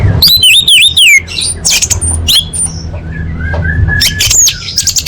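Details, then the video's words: Female orange-headed thrush calling males, played to lure quiet birds into song: a quick burst of warbling, wavering whistles in the first second, then scattered thin high squeaks and short chirps over a low steady hum. "Suara Anis Merah Betina Gacor Untuk Memancing Burung Macet Bunyi"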